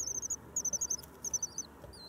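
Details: Common swifts arriving in spring, on 9 May. Quick clusters of sharp, very high chattering pulses, three bursts of rapid notes, then a few drawn-out wavering screams, in a quiet setting.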